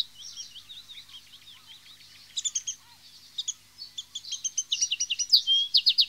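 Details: Common linnet sounds, with birds in a group passing on news to one another: rapid twittering chirps and short rattling notes that grow louder and denser toward the end.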